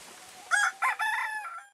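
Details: Phoenix breed rooster, almost one year old with an incomplete tail, filmed January 16, 2010, gives a short crow of three parts: two brief bursts followed by a longer held, slightly falling syllable, all within about one second.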